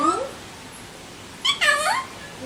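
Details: Alexandrine parakeet kept as a pet indoors giving a short, harsh, harmonic-rich call that rises then falls, after a brief human voice at the start; a quiet room otherwise.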